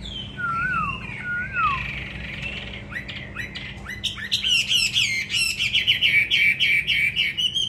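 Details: Caged Hwamei, a trained fighting bird from Hà Nội, Vietnam, opens with slurred, falling whistles, then breaks into a fast run of sharp, repeated bright notes that grows louder toward the end.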